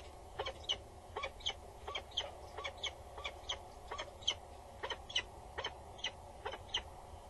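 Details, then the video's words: Bowing female peregrine falcon at a Dutch tower nest box, male nearby, morning of 22 August 2019; steady sequence of harsh clipped notes about every half second, with a low droning hum underneath. "Female above the booth. Male is nearby. She is loud and bows"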